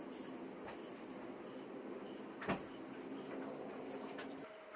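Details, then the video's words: Young common starlings kept in a cage in Liepāja, Latvia, May 2024, giving short harsh, hissy bursts of high noise at irregular intervals, with a sharp click midway and a low murmur of city sounds behind. "MĀJAS STRAZDI / Sturnus vulgaris / būrī. Jaunie putni."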